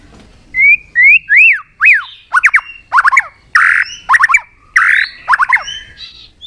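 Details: Caged white-rumped shama, provoked into fighting song while flicking its tail on a perch: loud clear whistles, some rising and some falling, then clusters of sharp down-slurred notes and buzzy bursts, phrased in quick groups.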